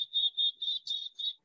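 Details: In July, two adult Black-capped Chickadees (Poecile atricapillus) with three to four fledged young give five or six high, thin, slightly buzzy notes in quick succession, a contact call to stay in touch with one another.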